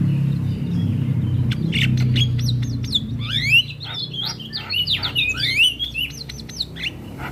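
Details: Black-winged myna training song meant to coax a silent bird into singing: a rapid jumble of whistled slides, buzzy notes and clicks building to a dense chattering run, over a low hum.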